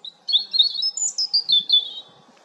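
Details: European robin singing one brief, loud phrase of rapid high warbling notes, rising to a peak mid-phrase and then stepping down in short pulses.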